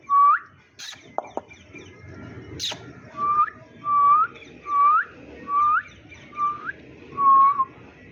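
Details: Pet green Indian ringneck parakeet chirping in a human-like way: a series of seven short whistled notes, each curving upward at the end, given roughly every second, with a few sharp clicks and knocks early on.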